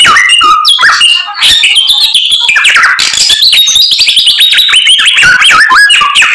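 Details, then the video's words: A white-rumped shama sings hard through a song crammed with mimicry: a continuous rush of varied whistles, buzzy trills and upward-flicking notes, loud and dense throughout. "BURUNG SAMYONG GACORR FULL ISIAN"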